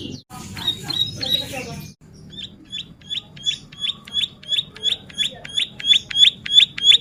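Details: A bar-winged prinia (ciblek sawah) sings vigorously for tutoring and luring use: after two seconds of mixed rustling and scattered notes, a steady run of sharp, rising high chirps grows louder, about three per second.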